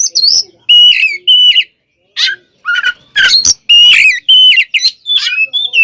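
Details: Oriental magpie-robin (kacer) in provoking fighting song: rough, harsh squawky notes mixed with flat whistles and short buzzy bursts, delivered in uneven clusters separated by short gaps.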